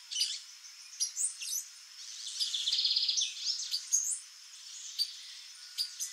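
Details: A female White-bellied seedeater (Sporophila leucoptera) gives busy, high chips and twittering notes in quick irregular bursts.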